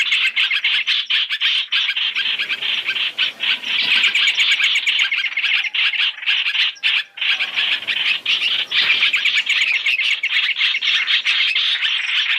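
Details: Three-in-one trapping lure of Chinese hwamei: a long, unbroken stream of harsh, grating chatter, fast and irregular, briefly dipping before the scratchy scolding swells again.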